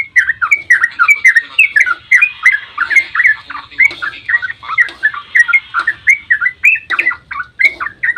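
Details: Sooty-headed bulbul in long continuous 'ropel' dawn song meant to lure others into singing: an unbroken stream of loud, bubbly, rolling whistled notes with no pauses.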